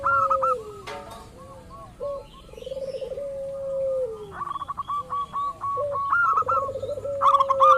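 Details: Local zebra dove used to provoke other doves into calling: a long low coo falling away, bubbling trills, then a drawn-out steady note, with rapid high chirping bursts and a brief click.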